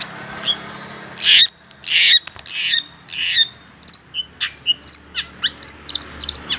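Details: Long-tailed shrike lure sound used for trapping wild shrikes: loud harsh rasping bursts, then a fast series of short sharp chirps and high thin notes, irregular, with faint background hiss.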